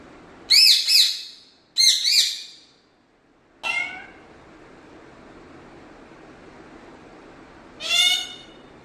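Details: Malayalam-talking pet parrot from Kerala, India: two loud doubled squawky syllables, then a lower falling harmonic note and, after a pause, another wavering voice-like note in a small quiet room.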